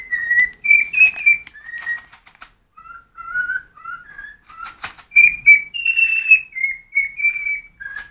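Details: Cockatiel sings because it is hungry, a steady run of pure whistled notes that step up and down in pitch, each about half a second long, in a quiet room.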